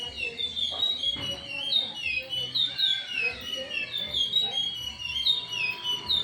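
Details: Chestnut-bellied seed finch singing the Timbira song: sweet, sliding whistles in a steady stream, with brief low thumps and a faint steady tone underneath.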